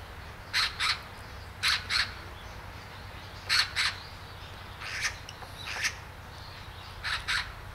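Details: Great spotted woodpecker calling at Hanbam Village, Daeyul-ri, Gunwi, North Gyeongsang, South Korea: loud, abrupt kik notes mostly in quick pairs, pauses of a second or more between pairs, over a low background hum.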